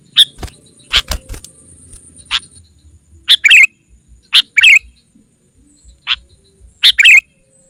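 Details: Lure call of a sooty-headed bulbul aimed at bringing wild rivals together: sparse, sharp single chirps mixed with short, warbled, falling phrases, separated by pauses of about a second.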